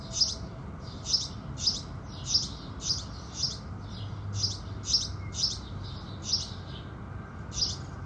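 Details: Crisp, evenly spaced cheeps from house sparrows at sunrise repeat about twice a second, a few louder than others, over a faint low drone.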